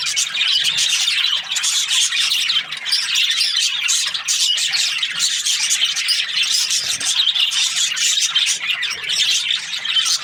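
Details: A busy chorus of Australian budgies: rapid high chirps, squeaky calls and warbled twitters layered continuously, with slight swells and dips.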